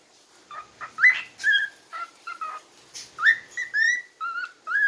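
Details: In the morning, a cockatiel whistles the Happy Birthday tune in clear, sliding notes grouped into short melodic phrases.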